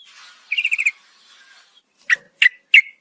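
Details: A yellow-vented bulbul female calling the male at night: a soft rapid trill of six beads, then silence and three loud separate chirps spaced about a third of a second apart.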